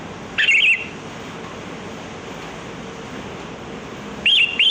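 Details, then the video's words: Wild sooty-headed bulbul, known locally as kutilang, singing a lure song for attracting birds: two brief bubbly whistled phrases, one near the start and another near the end, separated by a long quiet stretch of low hiss. "Suara pikat burung kutilang || Kutilang Gacor"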